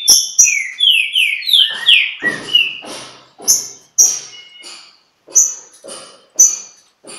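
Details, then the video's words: Green-winged saltator at Pedra Azul, contesting with a free bird, opens with a quick falling series of bright whistled notes, then steady high chips roughly twice a second with soft noisy pulses. "Trinca Ferro em Pedra Azul!! Disputa com o solto!!"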